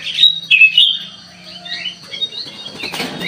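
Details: Sooty-headed bulbul, used as a lure sound to draw a response: a burst of chattering, slurred whistles in the opening second, then quieter scattered chirps, with a faint steady low hum throughout.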